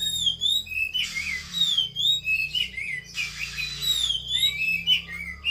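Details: Female Javan pied starling (kacer) singing in a fighting mood, with whistled and slurred phrases near the upper range, broken by short pauses, over a steady low hum.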